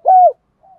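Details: Decoy spotted dove giving a lure call for wild doves: a single smooth, downward-curving coo, then a faint soft trailing note after a brief pause.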